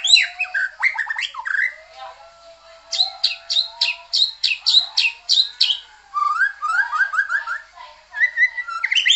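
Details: White-rumped shama (murai batu) singing a vigorous, varied song: rapid bursts of sharp high notes and buzzy trills mixed with sweeping whistles, phrases changing every second or so, with no other sounds.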